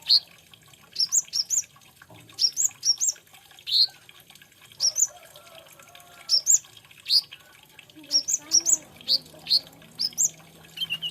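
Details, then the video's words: Olive-backed sunbird, known locally as kolibri ninja or konin, singing a song described as full of fill-in phrases: high, sharp chirps in short clusters repeated every second or so, with faint lower watery gurgles beneath. "BIKIN GEMES SUARANYA BURUNG KOLIBRI NINJA / KONIN INI.INDAH DAN PENUH ISIAN"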